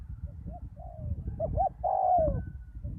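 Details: After a storm, a decoy spotted dove on the ground coos: soft lead-in notes, a pair of quick short coos, then a loud long note falling away at the end, over low background rumble.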